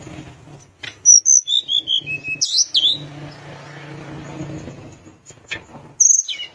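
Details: Sunda minivet singing: high thin whistles and short downslurred notes, with a quick run of sharp repeated chips in the middle and soft low background rumble.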